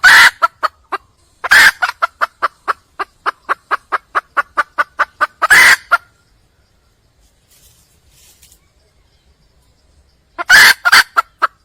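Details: Wild red junglefowl hen seeking a mate, giving a long train of rapid, regular clucks broken by loud, raspy squawks. There is a pause of several seconds, then another harsh outburst followed by more clucks.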